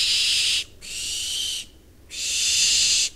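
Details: Barn Owl (Tyto alba) hiss calls of two birds in September: three long, harsh, breathy hisses, each up to a second long with brief pauses between; no other sounds.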